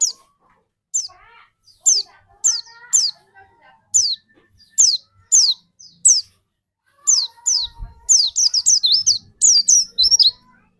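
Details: White-eye lure song used to spark another bird's song: single high downslurred whistles at roughly one-second intervals over faint lower chirps, speeding into a rapid, dense twitter at the end.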